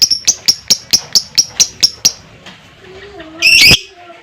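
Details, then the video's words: Fighter lovebird in ngekek style, used to spur other lovebirds into song: a string of about ten sharp, high ticking notes at a steady pace, then a loud harsh burst after a short pause. "LOVEBIRD NGEKEK PANJANG DAN GACOR,Dengan Suara Fighter Ngetik,Ngekek Panjang"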